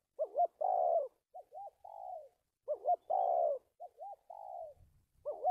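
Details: Spotted dove trapping decoy, dated 1/3/19, singing stuttered coo phrases: a wavering double note, a long coo, small rising notes, then a falling drawn tail, repeated twice before starting again.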